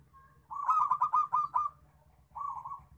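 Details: Local zebra dove cooing: a soft lead-in note, then a fast, bubbling series of pulsed low coos, followed by a shorter burst of rolling notes.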